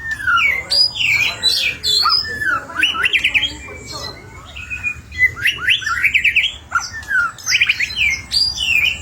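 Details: White-rumped shama in full varied song, kept to coax other birds into singing; bursts of rich whistles, chattering trills and slurred notes come in phrases separated by short pauses.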